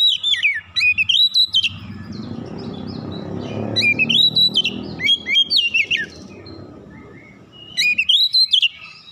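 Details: An oriental magpie-robin sings energetically with its beak open, displaying its repertoire to rouse other magpie-robins. Fast, bright whistled phrases come at the start, middle and end, with a broad rushing noise underneath in between.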